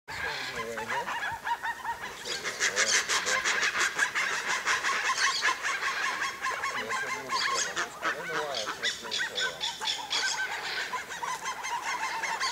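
Purplish jays give loud, harsh, grating calls, several birds overlapping in a raucous chorus of rapid, nasal notes that run almost continuously.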